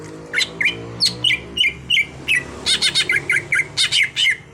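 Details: Caged green leafbird, a raw bird being trained to sing a lot, gives spaced bright chirps, then tighter clusters of buzzy notes, over a noticeable low droning background.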